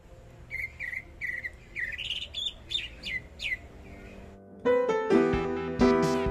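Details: Greater green leafbird from Kalimantan singing actively: a quick series of short whistled chirps and sweeping notes, rising toward the middle, then a louder, harsher burst of layered tones in the final two seconds.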